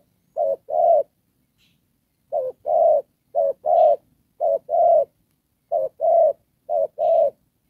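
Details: Spotted dove used as a decoy bird for trapping, giving "Đồng Pha" coos: one pair, a short pause, then five more rhythmic short-then-long pairs, with faint high chirps in places.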